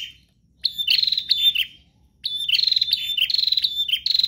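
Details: A prinia sings hard without pause, the sort of song played so captive birds join in: two bursts of scratchy, metallic high chirps and buzzes, the second a long rapid run lasting about two seconds, over faint low background noise.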